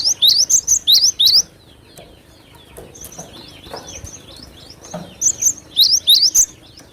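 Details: Cinereous tit (glatik batu) singing actively as a lure sound: quick runs of sharp, high, slurred chirps at the start and end, separated by a quieter gap with soft background noise.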